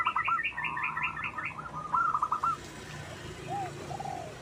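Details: Local wild zebra dove song recorded as a lure. A quick burst of purring coos with a higher, bouncing series of notes above, then quieter scattered coos fading into background hiss.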